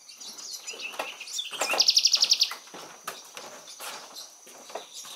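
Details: Amorous pair of Spectacled Parrotlets at Laguna de Sonso near Cali, Colombia, 9 July 2019: high, rapid chattering chirps with a loud burst of quick repeated notes near the middle, among sharp scattered tweets.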